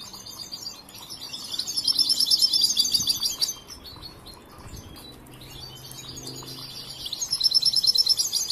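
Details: Young European goldfinch, trained but still working on its song, pours out loud high twittering with rapid pulsed trills, pauses through a quieter stretch with faint low noise, then resumes trilling.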